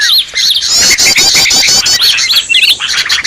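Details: Green leafbird giving a noisy call used to lure birds: dense, high chattering of rapid looping whistled notes and fine trills, many calls overlapping in a fast, crowded burst with brief dips in between.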